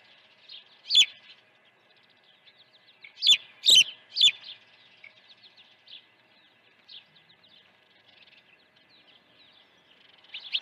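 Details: Osprey at the nest during an early feeding, Dunrovin Ranch, 1 June 2019: rapid runs of high chirps, with a burst of loud, sharp whistles around the third and fourth seconds, then softer continued chirping.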